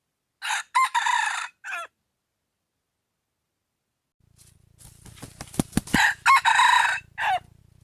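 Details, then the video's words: Wild junglefowl crowing: a harsh, broken multi-part crow of several raspy bursts near the start, a long silence, then clattering and rustling noise followed by a second loud, ragged crow ending in a short tail note. "suab qaib qus"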